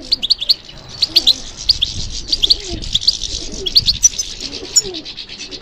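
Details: Captive European goldfinch trained for song contests gives scattered high chirps and tinkling twitters, with a few sharp clicks and quiet background sounds.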